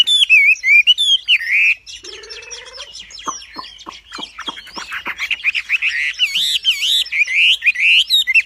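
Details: Wambi giving a lively varied song of whistled, wavering notes, with a low buzzy passage and a run of sharp clicking ticks midway before the warbling resumes.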